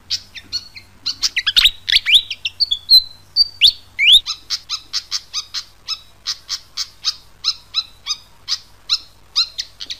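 A fantail gives high, squeaky sweeping notes, then a steady run of sharp chips, about two each second.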